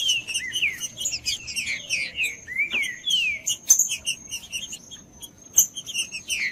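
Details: Whistled song of a green-winged saltator, used to stir a quiet bird into singing: repeated falling slurred notes in quick succession, broken by high chirps and occasional sharp clicks, over a faint constant high whine.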